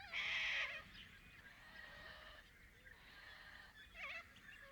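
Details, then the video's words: In Paroo-Darling National Park in the NSW outback, Australia, a little corella gives a loud, harsh screech that fades into softer rasping calls, with a second grating screech about four seconds in. "Little Corella Sounds - Loud wavering calls & harsh screeches"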